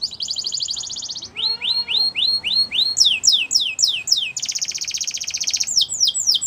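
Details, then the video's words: Canary song alternating tours: a buzzy trill, a run of rising chirps, sweeping falling notes, a long rapid rattle, then more sweeps, high and continuous. "Canary Chirping Sounds"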